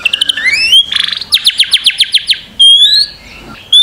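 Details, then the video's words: White-rumped shama master recording to make birds sing: rising whistles, a burst of fast buzzy notes, a string of sharp descending chips, then a clear high whistle. "Masteran murai batu. Di jamin langsung rajin bunyi"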